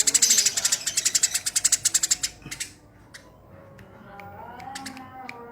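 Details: Tame Eurasian tree sparrow (burung gereja) calling rapidly: a fast burst of harsh, dry chirps about eight per second for two seconds, then quieter scattered chirps over faint background noise.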